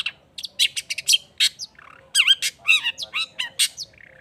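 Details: Energetic Long-tailed shrike song mixing harsh squawks, rapid chatters and warbled, wavering whistled phrases in a lively, varied sequence.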